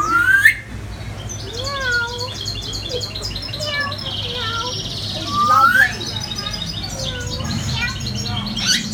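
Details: African grey parrot at a restaurant in Meteora, Greece, imitating a cat with two loud, rising, meow-like wails several seconds apart, with assorted whistles and curling chirps between over a low background hum.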